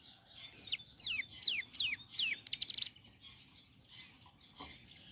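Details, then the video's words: Ciblek gunung singing in the morning: a series of five loud, high whistles, each sliding steeply downward, then a quick burst of sharp buzzy trilled notes, followed by faint background chirps. "Suara Asli Ciblek Gunung Gacor Pagi Hari"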